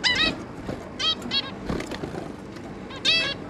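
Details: A zebra finch pair with three young juveniles, 11 May 2022, calls in a busy burst: loud nasal honks at the start, softer beeps in the middle, and another strong call near the end.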